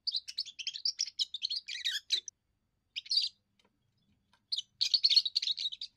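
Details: Young European goldfinch in first song, sung to mark territory and win females: a rapid string of chirps and a buzzy descending flourish, a short burst, silence, then renewed lively twittering.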